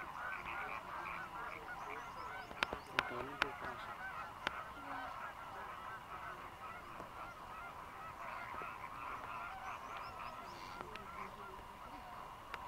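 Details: A large flock of migrant Greater Flamingos, over 6000 birds feeding in the dry-season lagoons of Mannar Island, Sri Lanka, keeps up a steady, overlapping chorus of nasal, goose-like honks and gabbling, with a few sharp clicks early on.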